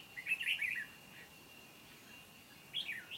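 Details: Red-whiskered bulbul used as a trapping decoy, singing competitively on 29 July 2020 to draw in wild birds: a quick warbled phrase of several chirpy notes, a pause, then another phrase beginning, over a constant insect drone.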